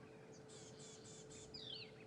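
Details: Rattling Cisticola calling from thick bush beside the road at sunrise on a South African safari drive, 27 November 2014: four high, harsh buzzy bursts, then a thin whistled note sliding downward, over a steady low engine hum.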